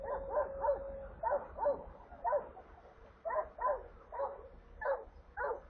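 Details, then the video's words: Stork chicks in a nest in Kaluga Oblast, Russia, on 28 July 2022, being brought water, recorded by a nest camera; nasal yelping calls come in quick pairs and triplets, about two bursts a second, with low steady hum behind. "Доставка воды аистятам"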